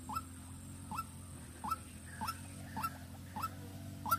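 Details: Decoy white-breasted waterhen in Vĩnh Long, Vietnam, calling with a regular run of sharp upward-sliding notes, about seven in four seconds, each with a faint trailing tone, over a low hum.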